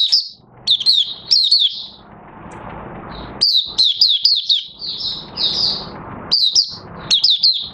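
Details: Caged Oriental white-eye recorded 30 August 2022 while its new white feathers finish colouring; high sweet twitters in short clusters, a hissy pause, then a long run of slurred chirps and a sustained buzzy note.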